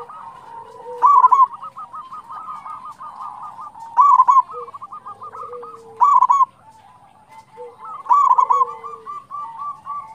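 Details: Local zebra dove singing briskly as a lure for other doves: four loud, quick bursts of staccato coos spread over ten seconds, each followed by a softer rolling run of cooing from nearby doves.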